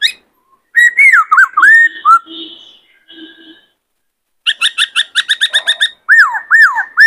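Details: Male White-cheeked laughingthrush kept in a cage, excited to sing and dance, gives looping whistled phrases, then quiet nasal notes, a fast run of about a dozen sharp chips and swooping whistles.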